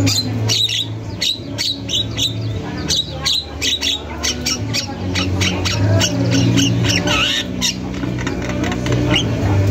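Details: Javan myna singing nonstop in a masteran recording, rapid harsh chattering notes tumbling several per second in uneven bursts, over a low droning hum.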